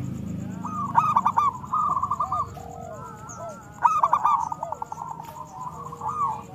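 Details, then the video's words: Local zebra dove song used as a lure to make other doves sing. Two main bursts of rapid, clipped coos trailing into long rolling trills, with softer slurred notes between and low background rumble at the start. "Suara Besar Panggilan Perkutut Agar Bunyi"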